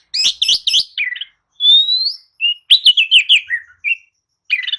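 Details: Oriental magpie-robin singing a lure song meant to rouse sluggish birds: clicky notes, one long rising whistle, then a quick descending string of warbled notes and a short rasp.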